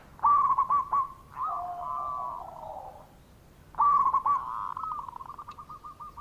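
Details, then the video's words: Local zebra dove giving a lure call to make reluctant doves call back: a rapid string of mid-pitched coos, then a long wavering hum, then another burst of clipped repeated notes. "Perkutut Lokal Gacor Suara Pikat Bikin Nyaut Yang Lagi Males Bunyi"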